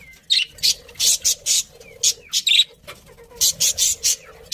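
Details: Budgies chirping in a fast series of short, bright, scratchy bursts, several per second, with brief pauses between groups and a soft low murmur underneath.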